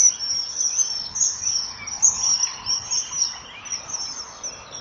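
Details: Male and female common kingfisher at a breeding-wall nest camera, 07:20 on 2 March 2014, calling 'chip-chip' while chasing an intruder from their territory. A dense run of shrill, high chips and chattering notes, with a faint background hiss.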